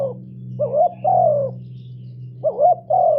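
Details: Spotted dove giving two loud coo phrases for luring wild doves, each a quick rising purr followed by a drawn-out falling coo, over a steady low electrical hum.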